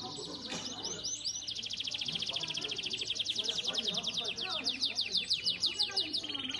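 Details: Competition song of a domestic Belgian canary at a seventh-edition event: continuous high rolls and rattling trills, evenly pulsed, with crisp chip-like notes woven through and slight hum in the background.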